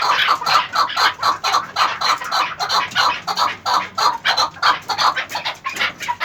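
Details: An eleven-month-old chukar partridge delivers rapid, throaty chuk-chuk notes, close to four per second, harsher and brighter than a simple cluck, in a rolling, slightly uneven chatter.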